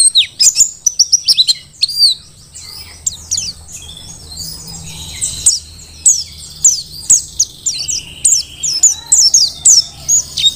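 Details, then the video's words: Mountain white-eye from Merapi, wild-caught, in lively tutor song: a dense run of high chirps, a quieter pause, then a rising series of crisp, evenly spaced high notes, steady faint low hum underneath. "Pleci Dakun Merapi Ngalas super gacor"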